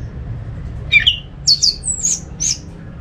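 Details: Orange-headed thrush song used as a lure to make other thrushes sing, from a bird keeper in Singaraja, North Bali: short whistled and scratchy notes, some sliding high, in a quick loose burst over low background hum.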